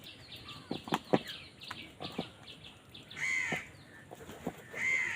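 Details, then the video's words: Crows fighting for food: sharp clicking and tapping noises fill the first three seconds, then two loud, harsh, drawn-out caws follow about a second and a half apart. "কাকের ডাক Crow Sound Crow ki Awaz Loudly | Crow bird Fight for Food"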